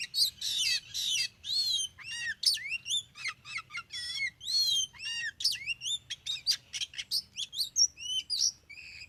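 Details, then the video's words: Kacer, the Oriental magpie-robin, heard near a concrete road as a fast, varied song. High whistled phrases, rising and falling slurs and crisp chirps follow each other almost without pause. "Memikat burung kacer"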